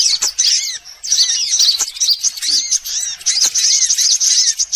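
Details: Sunbirds, all kinds together, recorded as a lure to attract birds. Short bursts of high, tangled chirping with bowed whistle notes repeat about every second, separated by tiny gaps.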